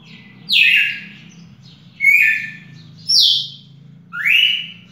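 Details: Song recorded 18 June 2021: a red-cowled cardinal whistles four loud slurred phrases, the last rising sharply, roughly one per second, against a steady low droning hum.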